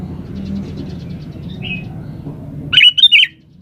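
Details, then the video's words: Sooty-headed bulbul, described as gacor, a lively singer, gives one short burst of jumbled, liquid whistles near the end after a stretch of low background rumble and faint soft notes. "SUARA BURUNG KUTILANG GACOR SATU INI"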